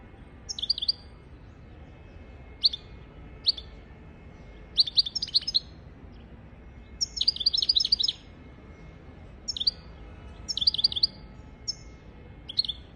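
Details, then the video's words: European goldfinch song used for teaching goldfinches and canaries to sing: short bursts of bright twittering and tinkling notes, separated by pauses, with a denser trilled phrase near the middle. "تغريد طائر الحسون حفاضة لتعليم طيور الحسون والكناري بدون أخطاء"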